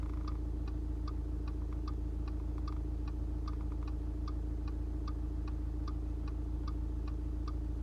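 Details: Steady ticking repeating about three times a second over a constant low mechanical hum, with no animal voice heard.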